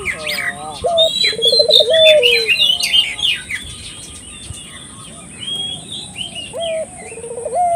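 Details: Puter dove calling as a lure for local doves: a rolled trill and long coo near the start and again at the end, amid heavy twittering of other birds in the middle and a constant high whine.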